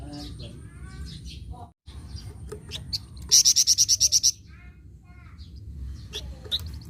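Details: Flamboyan bird in vigorous song, one rapid string of about ten piercing high notes lasting about a second, set among quieter scattered chirps and twitters over a steady low background hum.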